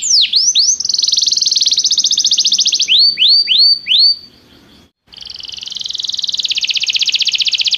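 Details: Belgian canary singing for training: falling whistled notes alternate with fast rolling trills, a short silence, then a long, gradually swelling rapid trill.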